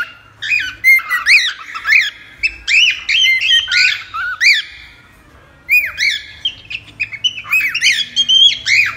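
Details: Cockatiel delivering rapid series of harsh, arched squawks in two bursts separated by a short quiet gap, the notes sliding up then down.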